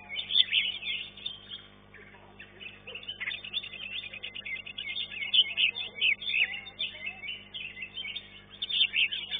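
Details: Green leafbird in a singing contest, third place: busy, overlapping chattering and whistles, a quieter stretch mid-way, then fast, loud phrases returning toward the end.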